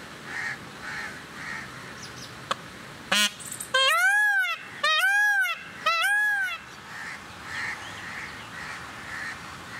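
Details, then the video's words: Male Indian peafowl (Pavo cristatus) scream: three loud, nasal, wailing cries in quick succession, each rising then falling, over faint chirps of other birds in the background. "Peacock song"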